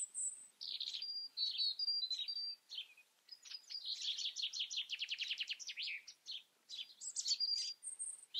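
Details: European robin singing continuously: thin high whistles and warbles, a long fast series of rattling notes in the middle, then further sweet whistled phrases.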